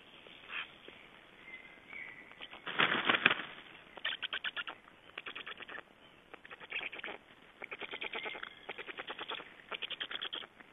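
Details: Nesting Black storks in Estonia, 31 May 2012, during a nest change, feedings and delivery of nest material; a loud rustling burst, then repeated trains of fast rhythmic pulsed notes in bouts of about one second.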